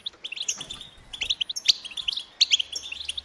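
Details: Goldfinch singing crisp, high tinkling notes and quick chirps in short clusters, with clear ringing accents about every half second.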